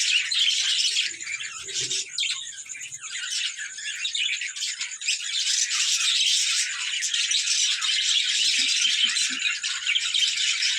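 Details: Several budgies playing together in a room keep up high, rapid twittering and squawky chatter, with a brief lull midway before the chorus surges again.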